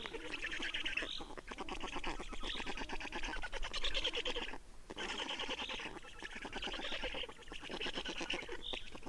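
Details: Black storks at a nest in Estonia on 30 May 2019 at 15:28, during changeover and feeding: sustained harsh, rasping, pulsed chatter in bursts of about two seconds separated by short pauses.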